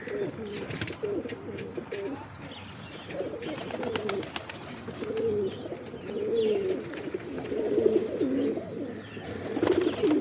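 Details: Soft, overlapping pigeon coos building in strength toward the end, mixed with scattered clicks and light clatter of movement.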